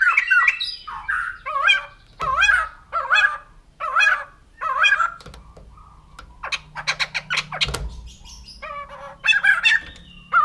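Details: Poksay jambul putih, the white-crested laughingthrush, delivers harsh, harmonic squawks in separate bursts roughly every second, with a quieter pause and rapid clipped notes before the loud bursts resume.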